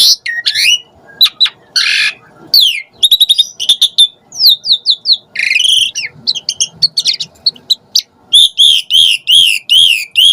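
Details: Asian pied starling (jalak suren) lure recording to excite starlings; harsh bursts, rapid chattering and whistled slurs, ending with a fast series of repeated arching notes.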